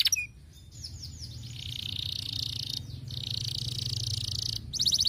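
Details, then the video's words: Canary singing, used to stimulate lazy canaries to sing: a quick sharp note, then long buzzy rolling trills broken by brief pauses, over a steady low hum. "muito eficaz para estimular o som de canários preguiçosos"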